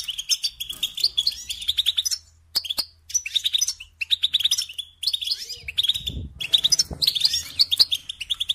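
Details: Goldfinch song in a long twittering run of rapid, liquid chirps and trills, broken by brief silences, with occasional low knocks in the background.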